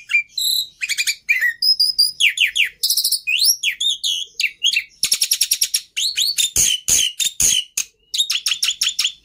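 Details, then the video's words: Continuous varied song of a Black-winged myna: sharp high whistles, rising and falling slurred notes, rattling chatter bursts, and grating broadband calls in quick succession. "Suara Burung Jalak Putih Istimewa"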